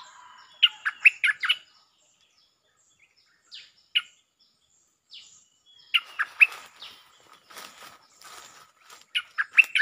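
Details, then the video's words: Bulbul lure song, 'Chao Bank' style with doubled phrases: quick bubbly warbled phrases at the start and end, scattered single chirps between, and hissy rustling noise in the middle. "เสียงนกดอกแตงEp.153 ฟังกันยาวๆเพลงจ้าวแบงค์ มีเบิ้ล เพลงเพราะน่าฟังSuara pikat merbah lekir gacor"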